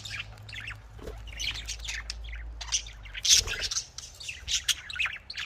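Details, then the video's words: Budgerigars chatter continuously in soft, scratchy warbles and chirps, growing louder with sharp squeaks past the midpoint, over a steady low hum. "Australian parrot voice|Australian parrot ki awaz"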